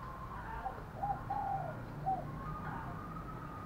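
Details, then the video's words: Spotted dove decoy bird with a 'thổ pha' voice style, giving its fighting call: about five short, soft, mid-pitched coo notes clustered within two seconds, set against a steady low rumbling background. "Chim Cu Mồi Giọng thổ pha, thúc đấu rất đỉnh và gáy gọi chất hai"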